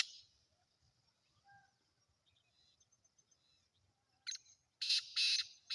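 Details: Captive Sindhi black francolin (kala teetar) calls at the end: one short rasping note, then three loud harsh grating bursts in quick succession, with faint quiet background chirps before.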